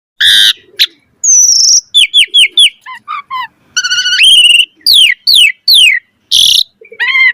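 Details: Asian pied starling singing in full, puffed-up 'gacor mompa' style with richly varied chatter: harsh noisy bursts mixed with clear slurred whistles, short falling notes in quick runs and rising whistled phrases, loud and close with no background sounds.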